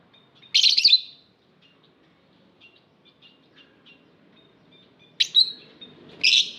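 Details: Lovebird kept in an aviary uttering loud, rasping, high-pitched screechy chirps, one early and a closely spaced pair at the end, separated by quiet faint twitters.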